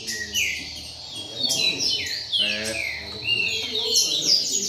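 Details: Several double-collared seedeaters gathered in a singing circle, calling to one another: overlapping clear whistled phrases with sweeping downslurred and upslurred notes, plus quiet human voices in the background.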